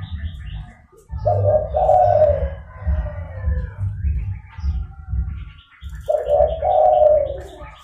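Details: Zebra dove calling, used as a lure for wild doves: two bursts of mellow, rolling, slightly falling coos, each about a second long, separated by a pause, over a steady low rumbling hum.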